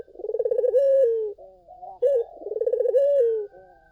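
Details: Collared dove song meant to lure other doves: two long vibrating coos, each starting with rapid pulses and ending in a smooth drawn-out falling note, joined by a short softer coo.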